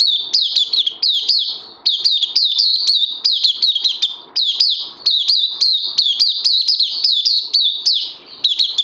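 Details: Oriental white-eye kept in a cage, recorded 31 May 2020 on its second day of supplements, delivering a long unbroken run of bright, high, twittering notes, each a quick downward slur, packed densely with only short breaks.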